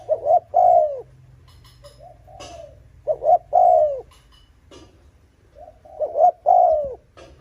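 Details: Spotted dove cooing to provoke competing males: three loud low phrases about three seconds apart, each a stuttered double note running into a long falling coo, with faint soft notes in between.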